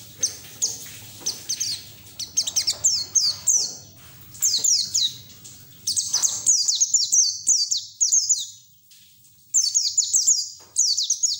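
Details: A white-eye delivering ngeriwik song with beak open, meant as therapy audio to get raw white-eyes singing: repeated clusters of high, downward-slurred chirps in fast series, separated by short pauses, with faint low rumble early on.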